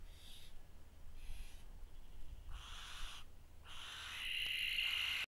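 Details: A barn owl in Cheshire, recorded close up on a trail camera, gives harsh, hissing screeches about once a second, each roughly half a second long, ending in a longer rasping screech.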